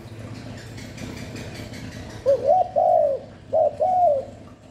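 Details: Spotted dove call meant to draw and stimulate doves: after a low rumbling background, a phrase of four soft coos, a rising pickup, a long falling note, a short hoot and a final arched coo.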